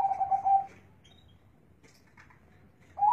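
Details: Zebra dove with a deep bass voice. The clip opens on the tail of a rolling, pulsed cooing phrase, then a pause, and a new phrase starts just before the end.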